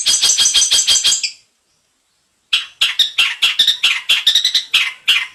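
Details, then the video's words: Long-tailed shrike song; loud harsh chattering notes repeated rapidly, about seven in a burst, a one-second pause, then a longer varied run of scratchy chirps. "suara burung cendet isian mantan"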